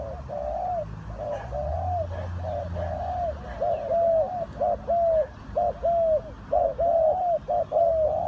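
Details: Mellow, slightly rising-then-falling coos of spotted doves at a bird trap, repeated roughly once a second and growing louder toward the end, over a deep hum.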